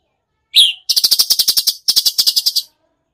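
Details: Cucak cungkok singing: a single sharp, falling whistle followed by two quick bursts of rapid, evenly spaced harsh notes in the rattling tembakan style.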